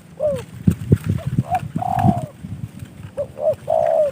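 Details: Trained caged spotted dove, received as a gift from a fellow hobbyist, giving a few short soft hooted notes and then a longer drawn-out falling coo, repeated twice, over steady low rumbling background noise.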